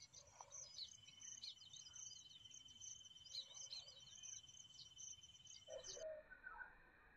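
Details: Baya weaver, a weaverbird of grassland and scrub, calling: high thin chirps and short buzzy twitters repeated through the clip over a steady high insect-like hum.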